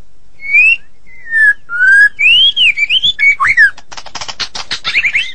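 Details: Gacor song from a Medan white-rumped shama: long clear whistles that rise, fall and arch, then a rapid ticking rattle ending in shrill twittering notes.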